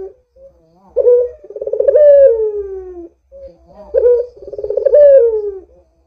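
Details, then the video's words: Two near-identical phrases from a Barbary dove, played to make doves call: each a soft note then a throbbing coo that builds, peaks, and glides down, about three seconds apart. "Suara Burung PUTER Gacor ini Paling Ampuh Untuk PANCINGAN Puter Agar BUNYI"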